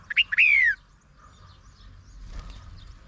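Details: A red-whiskered bulbul gives one quick song phrase, two short rising chirps then a bright, rich whistle sliding downward, followed by faint background hiss; tagged Langkawi.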